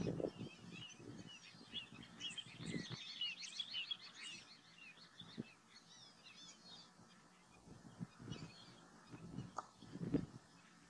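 Lesser whistling ducks give a busy chorus of thin, high whistled notes, many birds calling over one another, with low rumbling thumps and background noise.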